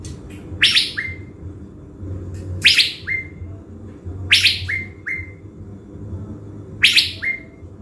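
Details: Caged blue-winged leafbird kept as a decoy in Bình Thuận, Vietnam, in peak condition before going to the forest. It gives four short phrases, each a sharp buzzy burst followed by one or two rising whistled slurs, spaced about two seconds apart, over low room hum.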